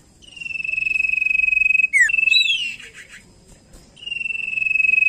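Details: Common iora of the cipow sirtu type, singing very actively, used as a lure to prompt other birds to sing: a long, even whistle with a fast tremolo, then sharp down-slurred notes and a rising-falling whistle, then the long note again.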